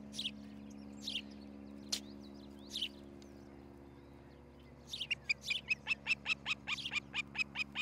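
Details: Osprey at a nest in Charlo, Montana, on a nest camera on 13 July 2018 in the early morning. A few scattered sharp chirps come first, then a rapid series of whistled, down-slurred notes, about two to three per second, with a steady low hum underneath.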